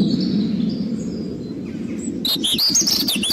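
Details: A European robin sings after two quiet seconds: a rich, high, quickly varied warble of sliding whistles and twitters. Faint distant thin notes and a steady low background hum run throughout.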